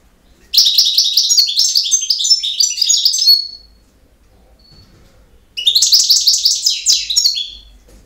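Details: Two long, rambling phrases of high, rapid chirps and trills from a European goldfinch in campero song style, about three seconds each, with a two-second silence between them.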